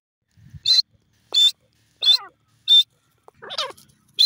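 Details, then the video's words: Grey francolin calling: loud, harsh, broadband bursts repeated about every 0.7 seconds, with a few lower, fainter rasping notes between them. No other clear sounds. "grey francolin ki piyare awaz,teeter birds sound"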